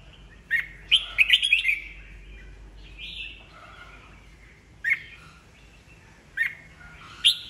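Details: Old wild-caught red-whiskered bulbul singing to trigger competitive singing in rival birds: a rapid tumbling warble of bright notes, then a drawn-out whistle and several sharp single chirps spaced over the following seconds.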